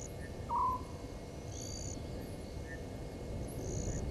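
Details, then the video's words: Single short, fairly loud hoot from a Southern white-faced owl early on, followed by a background of chirping insects and low rumble; recorded at night, 00:40 on 17 November 2019, at Gowrie dam, Djuma Game Reserve, Sabi Sand Wildtuin, South Africa. "Southern White-faced Owl"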